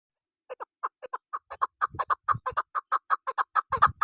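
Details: Female chukar partridge, used by local hunters as a lure, giving short clucking notes that start sparse and quicken into a steady chuk-chuk series of about two per second, with a brief low rumble partway.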